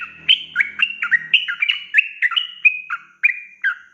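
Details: Yellow-vented bulbul singing long 'ropel' song meant to tutor young birds, a rapid chain of clear, slurred whistled notes; a faint low hum underlies the first second.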